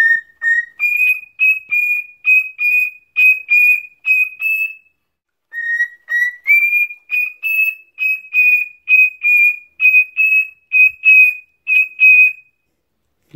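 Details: Male pet cockatiel, about four years old, free-flying indoors, whistles a tune taught by people ("If You're Happy and You Know It"), in clear, pure notes that step up and down.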